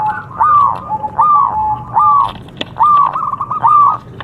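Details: A local Javanese zebra dove (perkutut) sings contest-style training song: soft, mellow cooing notes near one pitch, each arched phrase swelling and falling, repeating about every second, with one sharp click midway.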